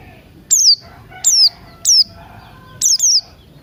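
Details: Buxton's white-eye singing in the morning, used as a lure to get other birds to start singing, mixed with cucak rante sounds: short, very high whistled notes sliding downward, in bursts about every second, with a double note near the end.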